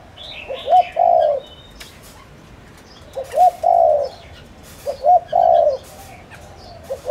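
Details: Spotted dove, a bird of village fields, cooing as a lure to draw in wild doves: a low phrase of two short notes and one longer hoarse coo, repeated about every two seconds, with faint chirps of other birds behind.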